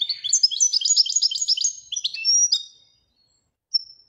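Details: Moroccan goldfinch in Widani style giving a rapid tinkling trill of closely packed high syllables for about two and a half seconds. It ends with a drawn-out note, silence, and a single thin whistle.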